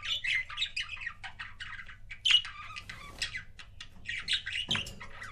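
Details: Pet budgerigar couples chattering: a continuous busy warble of scratchy chirps, clicks and squeaky notes, with a louder harsh call near the middle.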